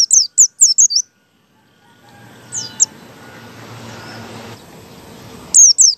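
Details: White-eye in ngalas style, a lure to set other white-eyes singing. Quick high down-slurred whistles open and end the passage, with a couple of faint notes amid a stretch of broadband rustling noise.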